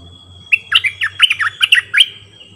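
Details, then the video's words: Decoy bulbul in full varied song: roughly ten quick, liquid, warbling notes jumping between higher and lower pitches over one and a half seconds, with a faint continuous whistle and low rumbling hum behind. "เสียงต่อนกดอกแตงEp.50นกต่อ เจ้าแบงค์ เปิดดอกเพลงเบิ้ล!!ร้องหลายเพลงSuara merbah lekir gacorbahanan"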